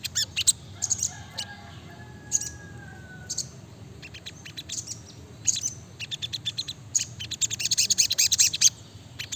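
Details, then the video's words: Brown-throated sunbird giving scattered high chips that build into dense, rapid bursts toward the end; a faint lower whistled tone drifts in early on. "Masteran SRIGANTI (SOGOKONTONG) Gacor Nembak Rapat"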